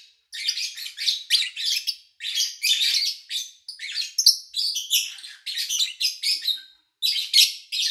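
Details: Nearly continuous lovebird chirping from an early August 2019 daytime session: dense strings of shrill, raspy notes that barely pause, with a short lull just before the final burst.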